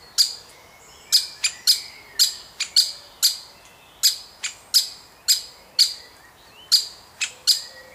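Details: Woodpecker chick being fed by a parent at the nest, one of a family of woodpeckers, giving a rapid series of sharp, high chirps, about fourteen in eight seconds, each starting with a clicky attack, at uneven intervals.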